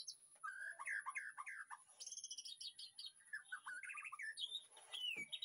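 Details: Captive white-rumped shama in a backyard aviary at a breeding facility, recorded in the afternoon during feeding, sings a varied run of rich whistled phrases, rapid high trills and falling notes, with a faint steady high whine behind.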